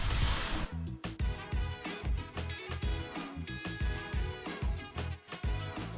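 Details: Upbeat funky music with punchy bass and drums fills the recording, with no animal sound audible.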